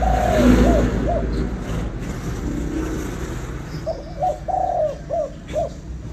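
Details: Spotted dove in Vietnam, 'kích bổi nổi' calling: the tail of one phrase, then a complete run of short coos, a long purring note and two final hoots, over a steady rumble of passing traffic.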